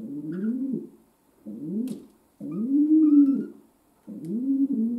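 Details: Indoor pet domestic pigeon giving a series of four low, rolling coos, each swelling and then sliding down, with faint high squeaks and small clicks in between.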